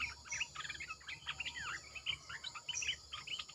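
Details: Caged Red-eyed bulbul giving decoy song: clear chattering phrases of slurred, dipping and rising notes, delivered quickly and almost without pause, over a faint continuous insect drone.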